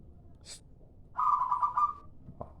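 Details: Local zebra dove lure call: a single rapid stuttering burst of cooing notes, mid-pitched with a faint buzzy overtone, lasting under a second, after a brief soft breathy sound, with low background hum.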